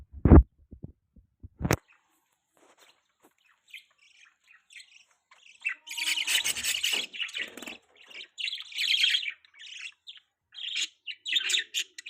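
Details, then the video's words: A baby pet budgerigar chirps: two loud knocks open the recording, then a quiet stretch, then about six seconds of busy, high, chattering chirps in irregular bursts. "beautiful budgie baby chirping sound"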